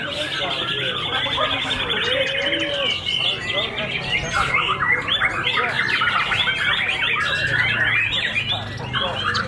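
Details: White-rumped shama, a white-tailed bird that has just finished moulting, singing at a first-place winning performance. Dense, rapid, varied phrases of whistles and chatters, with people talking in the background throughout.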